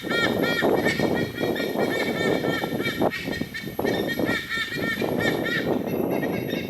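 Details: White-bellied Sea Eagles calling raucously in a noisy chorus in a Singapore nature park: a long series of honking, harmonic notes repeated in quick succession, over a steady low rumble of background noise.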